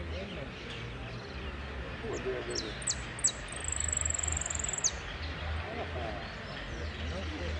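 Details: Saffron finch in a singing competition at Piran, 25/09/16, 'amarillo sin cierre' category: a few sharp descending high notes, then a long, very high, rapid buzzy trill held for over a second, over crowd chatter and low rumble.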